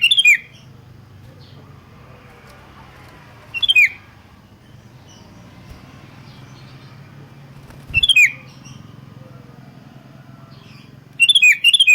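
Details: Sooty-headed bulbul song used as a lure to get other bulbuls singing: four short, loud, bubbly chattering bursts about four seconds apart over a quiet low hum.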